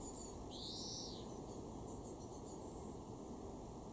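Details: In a garden in Weener, East Frisia, northwest Germany, in June 2024, a European greenfinch gives one drawn-out, slightly arched whistled note, with faint high ticking calls and a steady background rumble.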